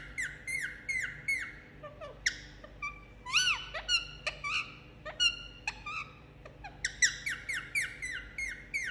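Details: Indian ringneck parakeet enjoying a head massage, making cute sounds: nearly continuous chatter of short squeaky chirps and arched whistled notes, dense at the start and end, over a low steady hum.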